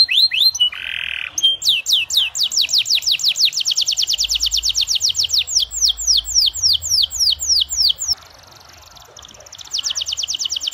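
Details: Canary lure song meant to set other canaries singing, long-duration with an elaborate style: a brief buzzy note, then fast, even chains of descending whistled sweeps, a short quiet break near the end, and renewed rapid trilling.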